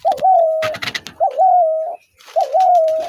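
A spotted dove gives soft, low cooing phrases, a brief lilting lead-in then a long steady hoot, repeated about every second, with some clicking noises in between.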